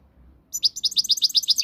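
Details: European goldfinch, Moroccan, delivering a quick string of high, clipped chirps in steady rapid rhythm, roughly eight notes a second, over a soft low rumble.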